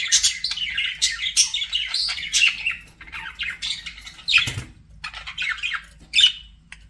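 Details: Chirping budgerigar song: fast, scratchy chatter mixed with clearer whistled chirps, loud bursts roughly every second or two, and a soft thump partway through.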